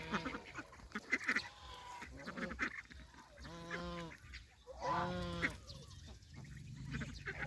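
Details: Farm geese, adults and goslings, being fed fresh green grass beside a pond in the countryside; two loud, nasal, harmonic honks stand out midway, amid soft rustling and scattered shorter calls.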